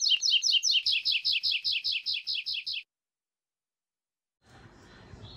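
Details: Double-collared seedeater (coleiro), a young brown male, sings a rapid run of about fourteen bright, high, slurred notes over nearly three seconds, then falls silent before a soft rustling hiss.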